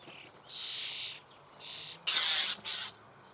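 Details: Common starling chicks in a nest hole in the Eifel near Büchel, Germany, begging while being fed: harsh, hissing rasps in four bursts, the loudest near the end, against a quiet background.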